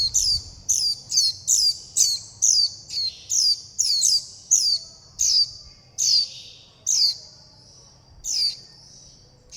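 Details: Young warbling white-eyes calling their mother and flock and begging for food: high, thin, sharply descending chirps with a sustained whistled band between them, repeated roughly every half second. The bursts grow sparser toward the end.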